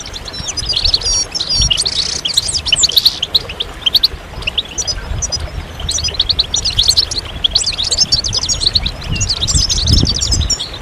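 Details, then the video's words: Group song of European goldfinches intended to get males singing again after moulting; steady waves of bright, high chirps and trilled twitters come from many birds, alongside an ongoing low rumbling noise. "ستستة وبتبتة جماعية للحسون فعالة في تحفيز الحسون على الخروج من غيار الريش بسرعة"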